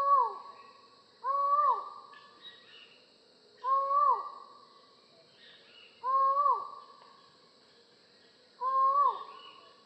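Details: Collared forest falcon repeating a hollow, nasal call five times, roughly every two and a half seconds. Each note rises briefly, holds, then falls at the end.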